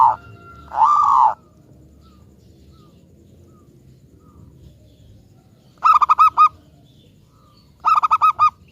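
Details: Local zebra dove used to lure other doves into singing; a drawn-out buzzy note opens, then two phrases of six quick, ringing coos follow after a quiet stretch.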